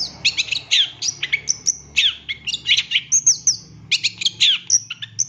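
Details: Long-tailed shrike master recording for training captive birds: a rich, varied song of quick whistles, downslurred chirps and high piping notes in rapid phrases, over a low background hum.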